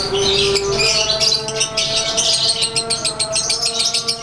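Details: Lovebird of the Konslet type, sunbathed outdoors on one of its rare days in the sun, giving its 'ngekek' daily song: loud, rapid, harsh high chattering bursts, about three per second, over steady lower tones.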